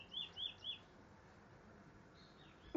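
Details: Trinidad bullfinch at Barrackpore, Trinidad: three short, bright chirps in quick succession in the first second, then a faint thin rising note and a sharp click at the end over low background hiss.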